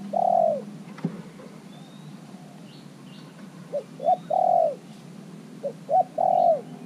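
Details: Caged spotted dove used as a decoy, kept only three months in its cage, calling to lure wild doves; three mellow cooing phrases, each two quick short notes then a long drawn-out falling coo, over a steady low hum.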